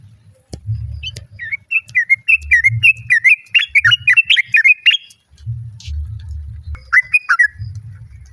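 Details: Sooty-headed bulbul female calling the male, answered by other birds: a long, bubbly string of warbling chirps lasting several seconds, then a shorter burst after a pause, over faint low hum.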